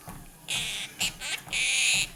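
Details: Happy Birthday sung by a pet Quaker parrot sitting on its owner's treadmill; loud, scratchy sustained notes in a long, short, short, long sequence, with rhythmic thumping steps underneath.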